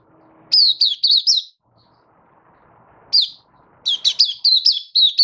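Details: A Malaysian white-eye sings in Singapore under stable, warm, sunny weather, March 2023. A quick run of high chirps is followed by a pause, a single note, then a longer, busier chirping phrase.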